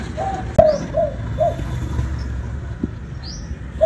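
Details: Spotted dove in Vietnam calling to rouse other doves: a few soft, low hooting coos in a loose series, with a faint background hum.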